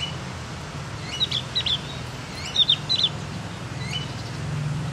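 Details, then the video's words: Javan white-eye, a learning bird, gives short high whistled chirps in small clusters around one and three seconds, with a steady low hum underneath. "OPIOR JAWA atau CUCAK GENTONG BLAJAR BUNYI"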